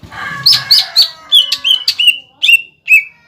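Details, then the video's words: Cucak ijo singing as a lure to stir young birds into song: clear, emphatic whistled notes in short bursts, each sliding downward, with brief pauses and some low murmuring at the start. "PANCINGAN CUCAK IJO BIAR EMOSI BUAT CUCAK IJO TROTOLAN MUDA DAN OMBYOKAN AGAR BUNYI"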